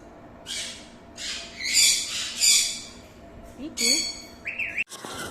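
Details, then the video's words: Green ringneck, or Alexandrine parakeet, with a series of rasping, broadband screeches. They are followed by short rising tonal notes and a sharp upslurred call near the end. "Alexandrine Parrot Natural Sounds || Alexandrine Parrot Natural Voice"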